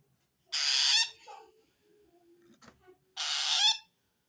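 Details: Two long, harsh hissing screeches from a long-tailed shrike calling to wild shrikes, said to signal feeling threatened by another shrike; a soft click and faint low tones fill the gap between them.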